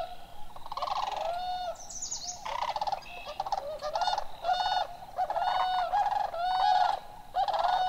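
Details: Introduced Whooping Crane flock at Necedah National Wildlife Refuge, Wisconsin, calling on a May evening while competing with Sandhill Cranes; a long run of loud, harmonic trumpeting notes, some overlapping, bursting in irregular clusters with brief gaps.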